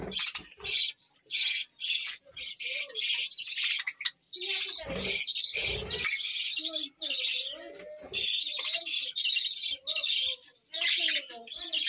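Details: A budgerigar colony kept at a village home keeps up busy, high chattering chirps in rapid irregular bursts, with a couple of low thuds mixed in midway.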